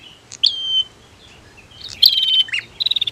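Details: Female versus male prinia voices, aimed at provoking birds to sing: piercing whistles sliding into a long even tone, a harsh chip, and a closing burst of quick buzzy pulses.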